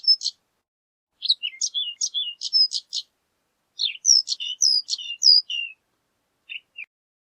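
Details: Horned lark song of sharp high chips interleaved with down-slurred whistled notes, two main phrases, then two faint notes near the end.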